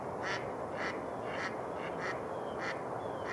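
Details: Mallard flocks gathered where ice had melted near shore on Rush Lake, New Brighton, Minnesota, on a warm early-spring day: rhythmic quacks roughly every half second, half buried under steady roaring broadband noise.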